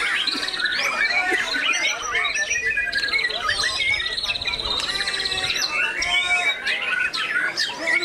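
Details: White-rumped shama from Magetan bowing as it sings ngecun style, pouring out rapid varied phrases: bright whistled notes, trills and buzzy rattles layered continuously, rising and falling without breaks.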